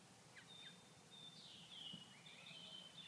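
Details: Purple martins in Grand Forks, North Dakota, unable to feed during cool 39°F weather without flying insects, and less active than usual. Two short downward chips open, followed by long thin whistles and gurgling, slurred chatter against steady low noise.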